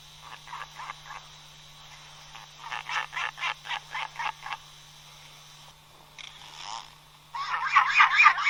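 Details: Albatross uttering short bursts of rapid, nasal braying notes separated by pauses. It ends in a loud, dense rattle of calls, possibly several birds together.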